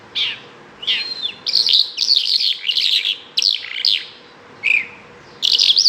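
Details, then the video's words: A Bimaculated Lark sings in quick, varied bursts of high chirps, slurred whistles and dry trills, broken by short pauses, with a faint steady hum underneath. "bimaculatedlark singing"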